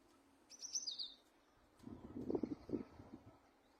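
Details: Finch giving a single quick high chirp that slides downward, followed by low rattling knocks and clatter.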